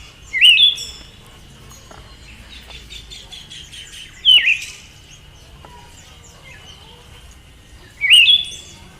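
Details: Female Siberian thrush giving three short separate calls, each a sharp downslurred high note about four seconds apart, with quiet background and faint other chirps between.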